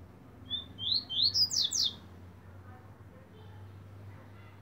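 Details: Captive Double-collared Seedeater delivers a single song phrase of about one and a half seconds: high whistled notes rising step by step and speeding up into a loud, buzzy finish, over a low background hum.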